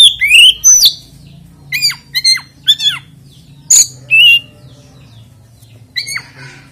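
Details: Oriental magpie-robin singing to provoke other magpie-robins: scattered loud whistled notes with downward-curving slurs and sharp high chips, spaced by short silences, over a low steady hum.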